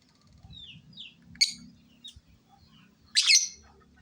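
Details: Lovebird giving a few thin, high downslurred chirps, then two sudden loud harsh shrieks, the second longer and grating, over a faint low hum in the background.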